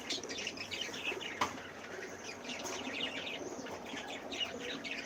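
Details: A cockatiel breeding group expecting chicks makes quick, high twittering chirps in overlapping runs, with one sharp click and light fluttering noise.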